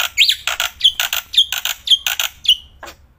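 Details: Black-winged myna singing outdoors while held in the hand, keeping up nonstop loud song: a rapid series of harsh, squawking bursts, several with a short rising whistle, about two per second.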